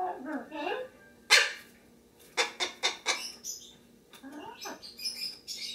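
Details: Pet lesser sulphur-crested cockatoo indoors, recorded 23 September 2010: a sharp harsh screech, then a run of four rasping broadband bursts, followed by softer squeaky notes, with a pet macaw chattering nearby.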